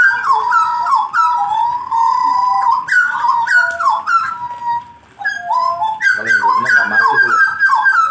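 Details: Jagal blorok songbird warming up, pouring out fast, loud whistled phrases that bend up and down, with a short pause before a busier rattling burst.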